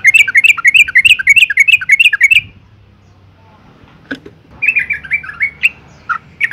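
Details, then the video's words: Yellow-vented bulbul female calling to rouse males into song: a quick burst of about ten chirpy slurred notes, a two-second silence with a few faint clicks, then another shorter chattering run. "suara panggilan burung trucuk betina gacor ngalas tercepat mancing emosi trucukan jantan agar bunyi"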